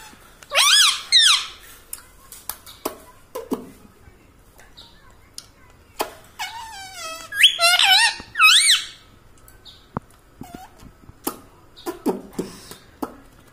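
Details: Indoor pet rose-ringed parakeet speaking like a person: several loud, harmonic, wavering phrases at intervals, mixed with squeaky notes and scattered sharp clicks in a small room.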